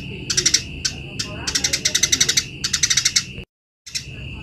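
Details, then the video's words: Eurasian tree sparrow singing vigorously, suited as tutor audio for training other birds: rapid bursts of bright, sharp chirps repeated about eight times a second, with a steady high tone underneath and a brief silent gap near the end. "BURUNG GEREJA GACOR || PAS BUAT MASTERAN"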